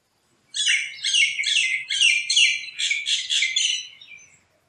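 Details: Many Yellow-vented Bulbuls foraging among forest tree branches chatter in a bright, bubbly jumble of overlapping notes, calling together in quick bursts for about four seconds.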